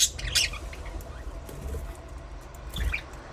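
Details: Budgerigar chirps, a cluster of high twittery notes at the start and another short chirp near the end, with soft flutter and thumps underneath.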